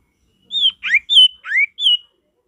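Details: Male ashy tailorbird singing naturally in forest: five clear notes that alternate between high, flat whistles and lower, rising slurs, all delivered within about two seconds.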